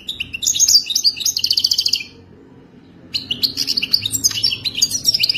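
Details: Moroccan goldfinch of wild type pours out a two-second run of bright twitters ending in a buzzy trill, then after a one-second pause resumes with a longer, rapid, jingling phrase.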